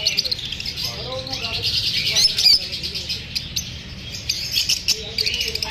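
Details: Pet lovebirds disturbed by being filmed give rapid, high twittering chirps, about three per second, in a continuous bright chatter, with brief human speech in the background and a low rumble.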